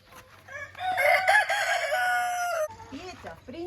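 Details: Rooster in a flock being shown newly bought hens: one loud, harmonic crow held for about two seconds, followed by short rising hen calls and a woman's voice.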